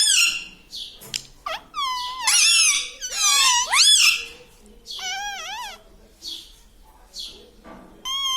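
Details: Parrot talking indoors, with speech such as "Papa Mummy"; a run of shrill, buzzy, wavering syllables, loudest in the middle, then fading into softer squeaks before a last call.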